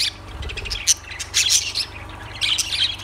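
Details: High-pitched lovebird squeaks and sharp chirps come in quick bursts, louder near the middle and end, with a soft low hum below.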